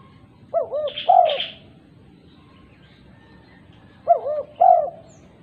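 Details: Two phrases from a female spotted dove calling other doves, about 3.5 seconds apart: double looping coos followed by a longer coo, the first overlapped by a brief higher chirp from another bird.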